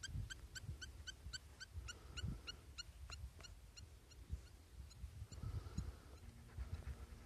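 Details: Spur-winged lapwing calling outdoors: a quick series of sharp, metallic, ringing notes, about three or four a second, fading after three seconds, over low rumbling noise and scattered thumps.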